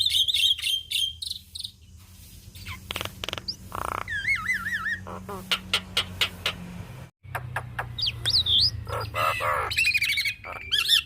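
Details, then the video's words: Javan myna song, used as a training recording for songbirds: whistled phrases and looping warbles broken up by dry clicks and rasping bursts, with a steady low hum underneath and a short silent gap partway through. "Jalak Kebo gacor Mantap Suaranya"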